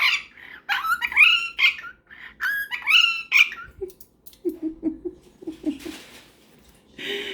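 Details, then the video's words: Pet cockatiel indoors, chatting with a superb parrot before bed: quick bursts of harmonic, chirpy squawks and warbled notes for about three seconds, then a low murmuring human voice with a few soft squeaks. "Before Bedtime: Cockatiel and Superb Parrot's Cute Conversation"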